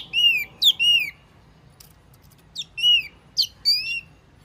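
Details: Wambi lure call: clear, ringing whistled notes that bend sharply down, given singly or in pairs with short pauses between them.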